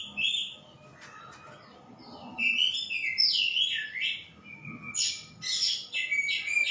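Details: White-rumped shama singing a string of sweet whistled notes and sliding phrases, with some clicks and faint background noise.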